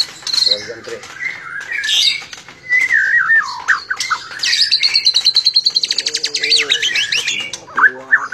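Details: Pied-patterned (blorok) white-rumped shama singing: rich varied whistles sliding up and down, then a fast, evenly repeated rattling series of high notes, with a few low sounds beneath.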